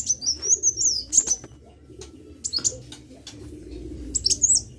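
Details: Gacor sunbird song: a warbling run of high, wavering whistled notes followed by separate sharp upslurred chips and a closing high flourish, with clicks and a soft low hum beneath.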